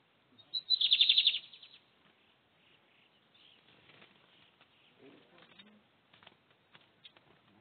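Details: Lined seedeater kept by a breeder in Brazil, 2023 season, delivers one loud, rapid, high-pitched trill of about half a second, followed by faint scattered chips and clicks.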